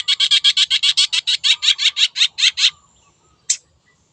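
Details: Long-tailed shrike, wild, in lure song: a steady harsh rattling chatter of about six rasping notes per second for nearly three seconds, then a pause and one sharp note.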